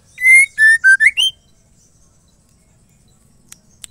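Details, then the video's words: Song of a female white-rumped shama, meant to spur males into singing: five loud whistled notes in quick succession, dropping slightly then climbing upward, followed by quiet with two faint ticks near the end. "MURAI BETINA GACOR"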